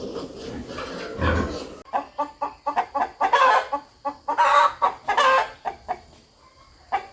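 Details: Rooster clucking rhythmically in a farmyard: an opening rough burst, then a steady run of short, evenly paced clucks building to louder, drawn-out cackling notes before fading to sparse single clucks.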